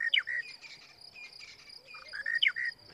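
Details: Monotonous Lark singing its morning song at close range, Djuma Game Reserve, 19 March 2017. It repeats a short phrase of mid-pitched whistled notes with a quick rising flick, twice in three seconds, over a steady high insect hum.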